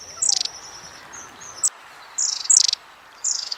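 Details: Long-tailed tit, short high-pitched calls used for contact within the group; a faint thin whistle followed by three spaced bursts of dry buzzy notes, with light background hiss.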